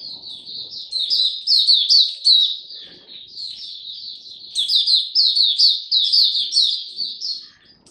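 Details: Oriental white-eye, a caged song bird, giving a song display: a long continuous run of rapid high twittering notes, about two per second, with a brief dip midway before resuming.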